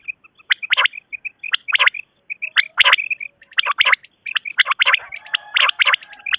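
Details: Quail calling at night, a quick run of short, sharp chirps repeated many times, with bright clicking bursts between them and several overlapping callers.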